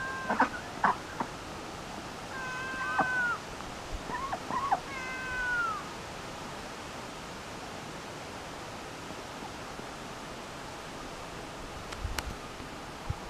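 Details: Large flock of sandhill cranes flying overhead on October 11, 2017, heard from a duck pen; rolling, trumpeting calls with strong overtones during the first six seconds, then only a steady wind-like hiss.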